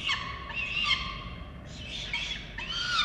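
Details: Falcon family on a nest camera in Orange, Australia, during a feeding on 13 November 2022: rough, nasal squealing calls in quick overlapping bursts, harsh and harmonic, over a constant low background rumble.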